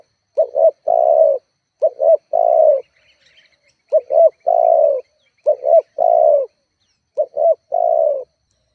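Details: Lure call of a spotted dove, meant to rile rival doves and set caged birds calling. Five clear phrases: a quick double coo followed by a longer, mellow, slightly descending coo, spaced by about a second.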